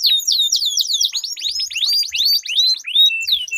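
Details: A canary duel with a sweet, long rolling song to coax stalled canaries into singing, with descending whistled sweeps, then a rapid series of rising slurred notes and a short high trill.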